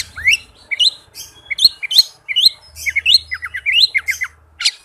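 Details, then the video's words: Fast, tightly packed Oriental magpie-robin song used as a lure for birds that will not sing. Quick upward-sweeping whistles repeat in rapid runs, then a series of falling slurred notes and a final high rising note. "suara Kacer speed rapat cocok buat pancingan kacer yang susah on"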